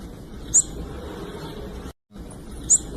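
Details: Blue-black grassquit female call meant to make males sing: a pair of brief, sharp, high-pitched tsip notes roughly two seconds apart, with constant low hiss and a short gap of silence between them.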